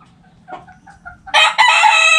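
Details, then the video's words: Rooster crowing in a backyard flock: soft hen clucks first, then a loud, rich harmonic crow starts, pauses for an instant and continues strongly to the end. "Back Yard Chickens Continuous Footage! Rooster Crowing! Hens Clucking!"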